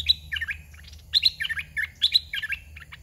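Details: Caged red-whiskered bulbul decoy song during rural trapping: bright, rollicking whistled phrases of rising and falling notes, repeated three times in quick succession over a low droning hum.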